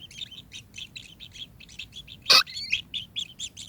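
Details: Kingfisher calling in a run of short high chirps, evenly repeated several times a second, with a sudden loud click partway through followed by a brief rising squeal.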